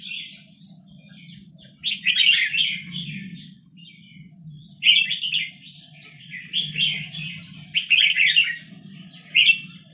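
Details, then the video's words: Red-whiskered bulbul of wild Vietnamese stock singing for training young birds: bursts of quick bubbly warbles after a quiet start, repeated at irregular intervals over a steady high whine and low rumble. "ลูกนกกรงหัวจุกเวียดนามป่า ใว้เปิดฝึกลูกนก"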